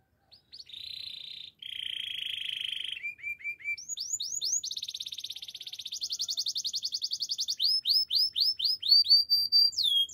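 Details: Canary song built from steady buzzy rolls, a short run of dropping notes, then rapid series of rising high sweeps and a fast sweeping trill that grows louder toward the end.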